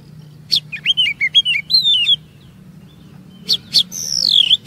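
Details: Oriental magpie-robin song used as a lure to draw long 'ngerol' phrases and stored 'isian' notes from other kacer: a burst of sharp whistled slurs, a pause, then clicks and a long descending whistle.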